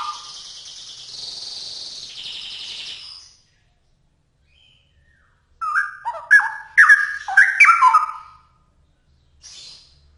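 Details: Straw-headed bulbul (cucak rowo) in full song. A buzzy, hissing note and silence come first, then a burst of loud, bubbling warbled whistles rising and falling for about three seconds, and a faint rasp at the end.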